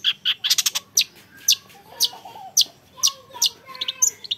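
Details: Caged young long-tailed shrike singing spaced, sharp high chips and short trills, some notes doubled, with softer lower whistles between them and a quiet constant hum behind.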